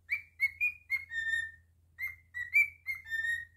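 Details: Pet cockatiel sings two crisp whistled phrases, each a quick sequence of rising notes finishing on a long even tone, loud and clear against quiet background hum.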